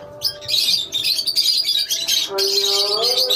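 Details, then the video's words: Lovebirds in a colony keep up an almost unbroken stream of piercing high chirps and twitters, with a faint humming tone beneath. "Love bird colony"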